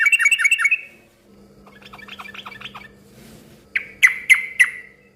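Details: Yellow-vented bulbul singing to make other bulbuls respond; a fast run of bouncing downslurred notes, a quieter chattering phrase, then four loud liquid notes evenly spaced about a quarter second apart.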